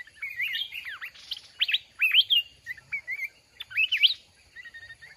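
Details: Red-whiskered bulbul from the mountains, caught with a fighting decoy, sings bright looping whistles that swoop up and down, phrased in short rapid groups with brief breaks.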